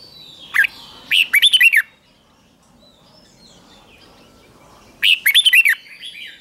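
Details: Red-whiskered bulbul singing in a morning training session for fighting-style song: two bursts of rapid, bright warbled notes sweeping up and down, each about a second long, separated by a few seconds of quiet.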